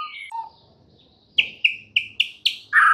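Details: White-rumped shama singing in the morning: a few clear whistled notes, then a series of sharp, loud chipping notes, one about every quarter second, ending in a louder burst.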